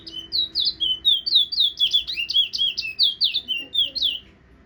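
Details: Guyanese Towa Towa finch in steady whistling song: about twenty high, clear slurred notes in a fast even series over four seconds, then stopping, with a quiet low hum behind.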